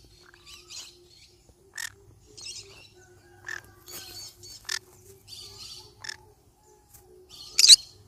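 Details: Yellow-sided conure parrot making a run of short, scratchy, harsh calls at irregular intervals, mostly soft, ending in one loud grating squawk, over a faint steady low hum.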